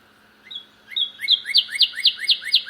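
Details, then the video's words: Loud cardinal near a bird feeder: two thin opening whistles, then a quickening run of bright, sharply slurred whistled notes at a steady rhythm, over a low constant hum. "other cardinal making aloud sound"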